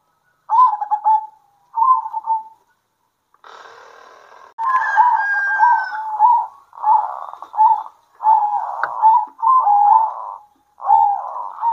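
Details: Local zebra doves singing vigorously and answering each other at midday: rolling, bubbly coos in short phrases separated by gaps. Partway through, a harsh, broad crowing-like sound and a long drawn-out tonal call cut in.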